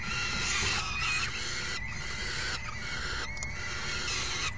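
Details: Falcon chicks begging while a parent brings in a meal and the other adult feeds the hungry brood on 3 June 2018; dense, continuous raucous harmonic screeching chatter over a steady low hum.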